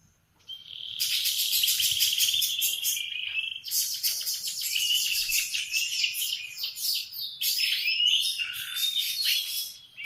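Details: Morning song of a canary, a long unbroken run of loud, rapid rolling trills and buzzy chattering tours, high and metallic, shifting between fast pulsed bursts and warbled whistles, with brief pauses between sections.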